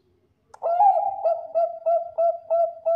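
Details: A Bangkok perkutut, or zebra dove, prized for its powerful voice and used as a decoy for other birds, gives a bright trilling coo followed by seven evenly spaced, mellow notes with crisp starts.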